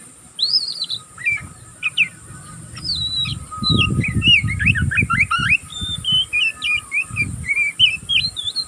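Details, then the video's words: Young oriental magpie-robin still learning to sing, giving continuous ngeriwik twittering: rapid, varied high chirps, slurred whistles and short trills run together without a break, over a low rumbling background noise that swells midway. "burung kacer pastol ngeriwik pastol paud masih belajar pokal ngeriwik tanpa putus"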